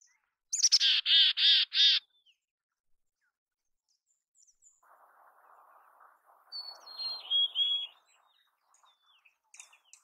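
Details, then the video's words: Mountain chickadee in natural habitat: four quick, harsh, buzzy 'dee' notes in a row, then a thin, high, falling whistle, with soft background rustling. "Canção do Chickadee da montanha! Mountain Chickadee Sounds! Chamada do Chickadee da montanha!"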